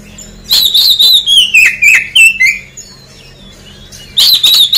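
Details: Oriental magpie-robin song played as a lure to draw a quick response from birds that have finished moulting: loud, bright whistled phrases sliding downward in a rapid run of notes, a pause, then a fresh high burst near the end.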